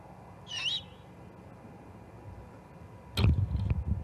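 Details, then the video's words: Juvenile great horned owl at the Charlo osprey nest, 21 October 2020: one short, harsh, rasping screech with a wavering tone, followed later by loud knocking and thumping noises. "This Juvie GHO is a Hoot!"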